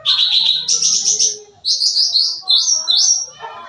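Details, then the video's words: Sooty-headed bulbul in full lively song meant as a lure for young birds: continuous high buzzy trills stepping upward, then a series of rising and falling whistled notes, faint low background hum. "Suara Cucak Ranting Gacor Full Isian, Cocok Buat Pancingan Burung Bahan"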